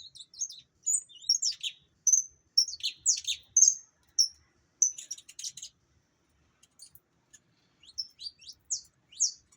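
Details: High-pitched song of an opaline saffron finch: bright chirps and short buzzy bursts in an uneven run for about five seconds, a brief lull, then more scattered sharp notes near the end.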